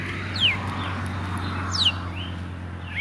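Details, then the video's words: Red-cowled Cardinal, said to sing at dawn: sparse, clear whistled notes sliding downward, a few spaced over three seconds, with a steady low hum beneath. "galo de campina é dono de um dos cantos mais belos do país podemos ouvir no amanhecer"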